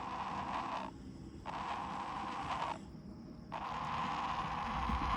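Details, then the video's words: A heron gives drawn-out, harsh, creaking rasps, each over a second long, separated by short pauses. "Why is this Heron making this noise?"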